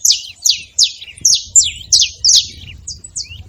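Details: A group of saffron finches making noise together: bright, high, descending chirps repeated roughly three times a second, some doubled or overlapping, over a soft low rumble.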